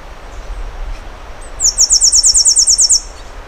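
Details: Over a low rumbling background, a Temminck's seedeater delivers one high, insect-like buzz made of around twelve quick, even pulses lasting over a second.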